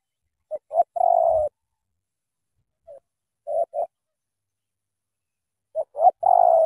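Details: Spotted dove from Cà Mau giving thổ tơ cooing: a pair of short hooting notes, then a longer mellow coo, repeated after pauses. One soft isolated note falls between the phrases. The background is quiet.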